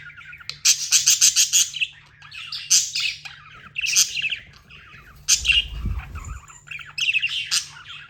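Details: Tame budgies chirp in rapid runs of short sharp notes, several bursts repeated in quick succession amid warbled chatter, with a brief low thump midway and a steady hum.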